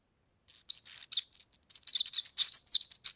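A European serin sings a fast, high, jingling song of tinkling, buzzy notes running almost without pause for nearly three seconds.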